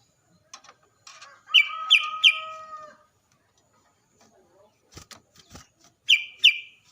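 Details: Sooty-headed bulbul song used as a lure to make other bulbuls answer and sing: short slurred whistled phrases, a few rapid bright notes over a drawn-out tone, then a pause and another brief burst, with faint clicks between.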